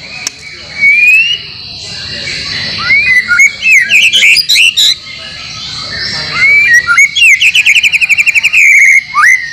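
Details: Song recording for getting caged white-rumped shamas (murai batu) to sing, with mixed material from other birds: long clear whistles, bursts of bright jumbled notes, and a rapid trill of repeated notes near the end, over a high hiss.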